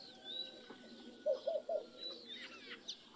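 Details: Laughing dove giving a short soft bubbling coo, three quick low rounded notes close together near the middle, with thin high chirps and whistles from other birds around it.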